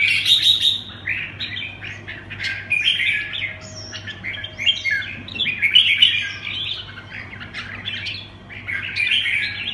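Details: Red-whiskered bulbul singing in the 'quảng lân bướm' style: bright, chattering warbled phrases with quick burbling notes, bursts separated by short pauses, over a steady low electrical hum.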